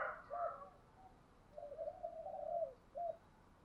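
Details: Spotted dove with a 'giọng thổ' voice cooing in the 'thúc gù' manner: a brief opening note, then a run of soft, level coos ending with one short, separate coo, against steady background hiss.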